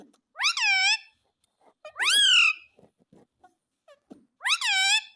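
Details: Pet tota, a talking parrot said to repeat mummy and mitthu, gives three loud harmonic utterances about two seconds apart, each sweeping up then curving down, with faint clicks between them.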